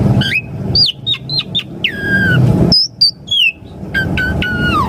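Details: Asian pied starling song played to make caged birds answer and sing: loud clear whistles, slurred upward and downward notes and short chirps in a varied phrase, over low rumbling background noise.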